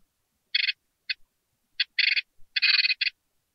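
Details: Newly hatched great tit nestlings in a nest box, hungry and waiting to be fed, give harsh raspy begging bursts, some short and some longer, in an irregular series of about six over three seconds.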